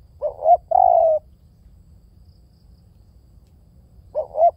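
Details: Spotted dove cooing: one full phrase of a rising double coo followed by a long level coo, then about three seconds of near silence before the next phrase begins.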